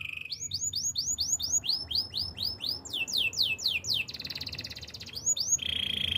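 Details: Training song of a canary, rich and fast: long chains of rapid upswept whistled notes, a harsh buzzy trill in the middle, more sweeping notes, then a steady trill to finish.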